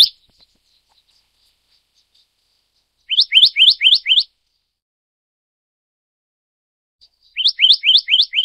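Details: A Black-naped monarch of the Taiwanese endemic subspecies gives two separate runs of about six quick upslurred whistles, roughly four seconds apart, in otherwise silent surroundings after an opening sharp note.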